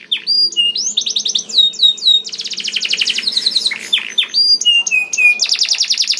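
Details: Canary song played as a lure to get canaries singing, with varied whistles, fast rattling trills and clear level notes in quick succession.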